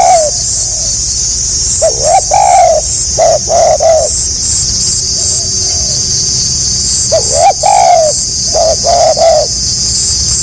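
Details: Spotted dove giving stuttering 'gagap rapat selang nguku' coo phrases: short broken notes leading into fuller hollow coos, in bursts with gaps between, under a loud continuous high-pitched insect-like drone.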